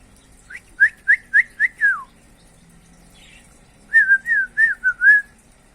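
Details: Common iora in lively, varied song: two bursts of short clear whistled notes, five or six each, the first run ending in a falling slur.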